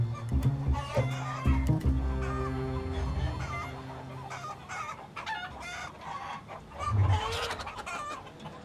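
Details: Domestic hens in a flock without a rooster, where dominant hens keep a low-ranking hen from food, cluck in short, low, uneven bursts of several notes a second, rising and falling, over a soft musical background.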